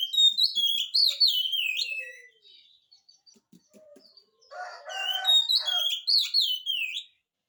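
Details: Oriental magpie-robin singing strongly as a lure for reluctant magpie-robins: dense looping whistles and trills, a brief lull with ticking notes, then a harsh grating burst followed by more fluent whistling.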